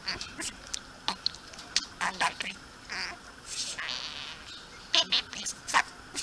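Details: Talking budgerigar kept as a pet addresses a hand-held camera one evening indoors, practising words: rapid, buzzy, high chatter in clipped syllables, a longer rasping phrase midway, then sharp squeaky notes.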